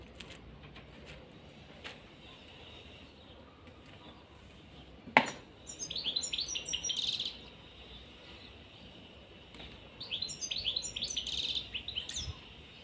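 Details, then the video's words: Caged pair of European serins, with two short bursts of rapid high tinkling, jangling notes separated by quiet, plus a sharp knock just before the first burst. "طائر البسبوس في القفص_serin cini en couple dans la cage"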